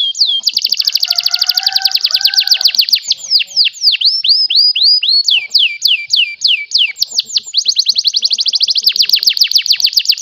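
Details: A canary in Comal, Pemalang, Central Java, Indonesia sings a long, high, unbroken song: rapid rolling trills give way to quick downward-sweeping whistles, then return to fast buzzy rolls.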